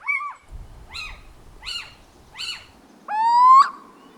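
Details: Little owl (Athene noctua) giving cat-like mewing notes, four short arched yelps then a longer strained rising wail, heard in the background behind a long-eared owl's broken call at night; the call can resemble a cat's meow or someone crying for help.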